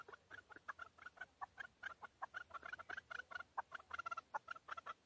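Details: Chukar partridge recorded in Tajikistan in 2020, a male, with rapid overlapping chuck notes repeated several times a second over a faint hiss of background noise.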